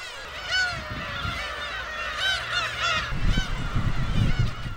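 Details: A breeding colony of Black-tailed gulls (Larus crassirostris) nesting on cliffs at Gyeokryeolbiyeoldo island, 55 km off Taean, Korea, in early April spring: many nasal, mewing cries rising and falling, overlapping about once a second, over low wind or surf rumble.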